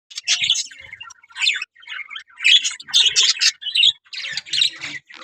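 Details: Budgerigars in a breeding colony with a pair ready to breed, giving bursts of harsh, squawky chatter and chirps, broken into short phrases with brief pauses between them.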